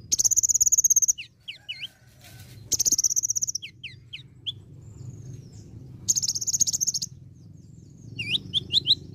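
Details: Olive-backed sunbird in full varied song with imitations of other birds: bursts of rapid high trilled rattles alternating with sharp upward-flicked chirps, repeated several times, over a steady low background rumble.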